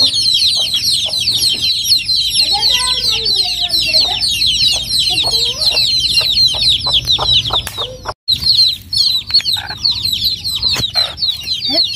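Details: Young chicks in rural Noldang village keep up a thick, shrill peeping chorus; midway a lower, wavering adult cluck runs underneath, and sharp ticks and knocks punctuate the later part after a brief break.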